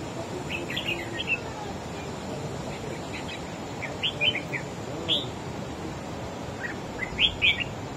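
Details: Red-whiskered bulbul, wild-caught, singing against a competing bird: scattered short whistled phrases roughly every second or two, some loud and sharp, above continuous background noise.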